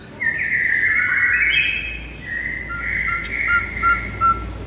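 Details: White-rumped shama song used as a training recording to rouse listless shamas: smooth sustained whistles stepping between pitches, with brief sharp notes near the end.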